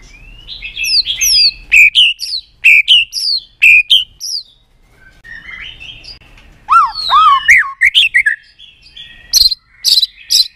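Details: White-rumped shama in full varied song, used for training birds to sing many voices: rhythmic phrases of sharp sweeping whistles, a short quiet gap, rich downward-slurred notes, then strong high whistled bursts.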